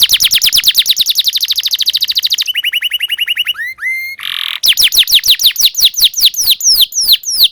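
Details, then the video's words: Singing domestic canary, recorded as a lesson for juvenile canaries. Opens with a very fast, even trill, shifts to slower tours of upswept whistles, a brief nasal buzz, then loud repeated descending chips. "PANCINGAN Kenari GACOR PANJANG Cuit CUIT EMOSI ini AMPUH utk MASTERAN Kenari PAUD belajar BUNYI"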